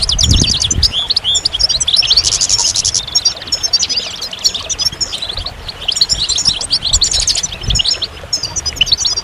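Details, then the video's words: Goldfinch delivering a rapid, high twittering song with a harsh buzzy section near the start, then strings of bright chirps and trills. "Magical Goldfinch Songs"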